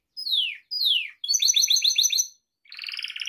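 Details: Song of a Gloster canary for training pet birds: two clear descending whistles, a rapid rolling trill of paired notes, a pause, then a low buzzy warble.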